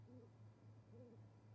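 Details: Great horned owls, a pair using an osprey nest in winter at Charlo, Montana, on 20 January 2020, bringing prey such as voles, filmed by nest camera; two soft, low arched hoots about a second apart over a steady low hum.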